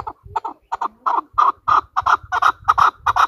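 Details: A hunter (decoy) chukar partridge gives a fast series of harsh, clucking chuck notes, often paired, nearly three a second, swelling louder as it goes. No other sounds.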